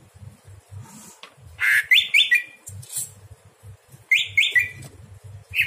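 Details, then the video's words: Greater green leafbird singing at night, a recording used for tutoring other birds: two bursts of bright, stepped whistled notes that jump upward, separated by a pause, over a low pulsing rumble in the background. "masteran cucak hijau di malam hari"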